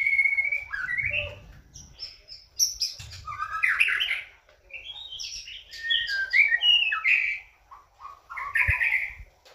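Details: White-rumped shama song played to make birds respond: a clear sustained whistle, then tumbling chirps, high whistles and dense warbled bursts separated by short pauses, with occasional low knocks.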